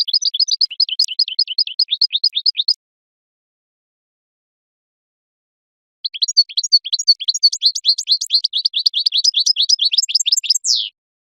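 Goldfinch song: quick, tinkling twitters and trills in two bursts, the second longer and more elaborate, with a short pause between and no other sounds.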